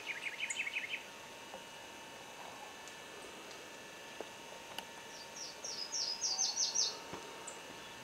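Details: Booted racket-tail, subspecies discifer: a quick burst of about six buzzy, chirping notes at the start, quiet for several seconds, then a higher, thinner run of repeated sharp chips near the end over faint background hiss.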